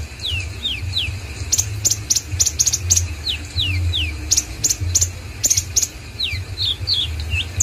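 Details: Common iora in full song: clear whistled notes sliding downward, repeated in small groups, mixed with bursts of sharp high clicking ticks, over a low background hum.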